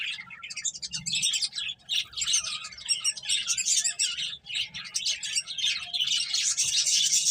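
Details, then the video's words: Several finches chirp busily while eating and playing, quick high tweets tumbling over each other at a fast, irregular pace, with a faint low thump near the start. "Cute Birds Chirping Sounds | Beautiful Finches Eating and Playing"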